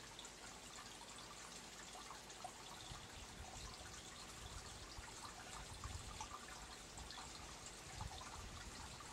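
Soft steady trickling and dripping water with faint hiss, quiet and even throughout, and no animal calls.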